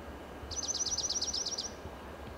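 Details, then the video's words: Dark-eyed junco perched atop a dead Monterey pine trunk in Del Monte Forest, California, singing a fast musical trill of about eleven identical high notes over roughly one second, with faint low background rumble. "Sweet Song of a Dark-eyed Junco"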